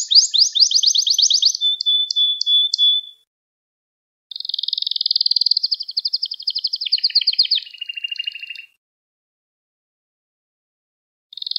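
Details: Canary song intended to train young canaries: a fast pulsed trill into a level whistle, a pause, a long rolling trill dropping to lower buzzy notes, then silence before another trill begins.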